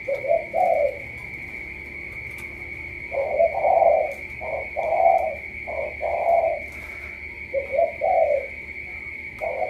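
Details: Spotted dove in the Cà Mau tú style, delivering paired coos: a short low note followed by a longer, fuller coo, groups spaced a couple of seconds apart, over a thin constant high tone.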